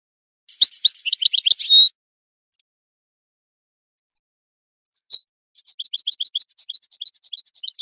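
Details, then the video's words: Goldfinch singing on a teaching tape for chicks and songbirds: a short twittering burst ending in a buzzy note, a pause of about three seconds, then a long stream of bright, rapid chirping notes. "Analysis of goldfinch songs and their performance in education"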